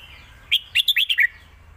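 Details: Red-whiskered bulbul kept as a caged competition bird, delivering a master song phrase for tutoring young birds: one rapid run of six bright, slurred whistles, mostly falling in pitch, over faint background hum.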